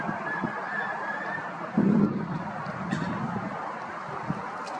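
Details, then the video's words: A mallard gives one loud, nasal, low quack near the middle, with softer quacks before and after over a steady background hiss. "Mallard duck call/quacking/sounds"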